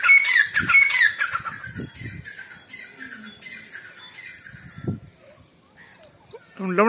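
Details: Female grey francolin (teetar), 29 November 2022: a loud burst of harsh, ringing notes opens, then fades to a quieter rasping trill with soft background noise and a sudden low squeal at the end.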